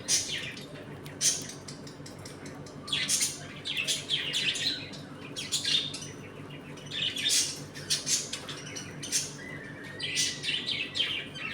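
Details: Home colony of budgerigars eating, playing and squabbling; dense scratchy chatter in uneven bursts with a brief rising whistle near the end, over faint room hum.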